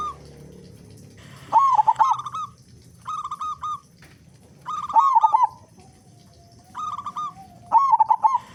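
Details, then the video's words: Zebra dove, a local bird singing actively with a big voice, played as a lure so other doves start singing: throaty stuttering coos alternate with smoother trilled phrases, in several bursts with short silences. "Perkutut Lokal Gacor Suara Besar Pancingan Burung Perkutut Agar Cepat Bunyi"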